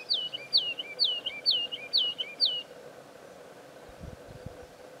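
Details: A Woodlark (Lullula arborea) at Serra do Suído sings six quick, liquid, falling notes in an even two-per-second run, each slurring downward, then stops; a few low thumps follow in the quiet.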